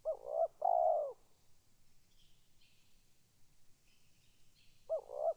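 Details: Calling spotted dove gives a paired coo, a short note then a longer rolling one. After a pause it begins the phrase again. Faint high chirps from other birds sound in between.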